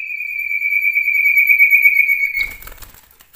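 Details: Common iora (cipoh), male cage bird singing imitated phrases; one long sustained high whistle with a steady tremor, broken off by wing flutters and clattering noise at the end.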